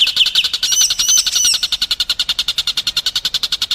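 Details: White-rumped shama training song for contest birds, a brief burst of sharp whistled phrases giving way to a fast, evenly pulsed rattling trill, about three notes per second's fraction, loud and close.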